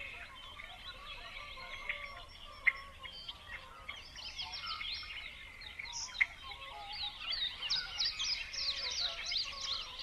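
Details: Many birds chirping and singing together outdoors, a dense chorus of short high chirps and trills with no single voice standing out, over steady low background noise.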